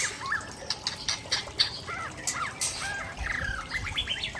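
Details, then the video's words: Tangse, Aceh white-rumped shama giving rare mimicked fill-in notes: quieter, scattered short whistles and rising slurs over a hissy background with a few sharp clicks. "Murai Aceh SMBF Ori Tangse Sedang Bongkar Isian langka"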